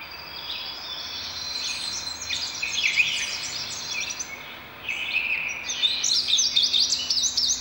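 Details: High, chirpy song of an indigo bunting: hurried slurred and paired notes running several seconds, a brief dip, then a fresh burst of sweeping notes; a faint low steady hum underneath.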